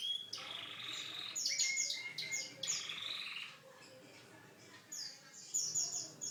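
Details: Canary performing a unique song of buzzy sustained notes and rising whistles, a quiet pause, then high chirped phrases resuming.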